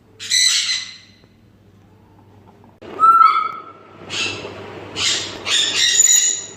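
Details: A pet pair of Grey parrots at home giving harsh, squawking calls in short bursts, several within a few seconds, with a steady low hum underneath.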